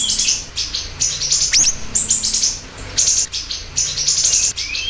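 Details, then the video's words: Siri-siri bird pouring out strings of high twittering and buzzy trills, punctuated by a sharp falling whistle. A faint rising whistle comes near the end. "Masteran Burung Siri Siri Gacor Dor"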